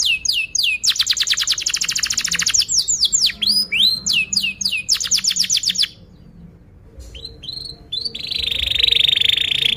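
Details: Lure song of a long-singing canary for training juveniles: dense high trills and downslurred chirps for six seconds, a short near-silent gap, then scattered whistles and a steady buzzy trill.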